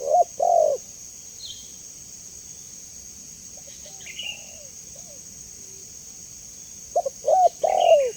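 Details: Low hooting coos of a spotted dove used as a lure call open and close the passage, with quiet soft notes and a few faint higher chirps between, over a persistent high-pitched tone.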